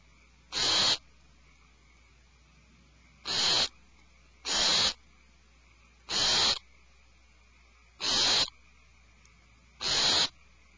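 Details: Alarmed owlets in a nest cavity, calm before while one fed on rabbit, give harsh hissing screeches, six bursts in about eleven seconds at uneven gaps of one to three seconds, each under half a second, over a steady low hum.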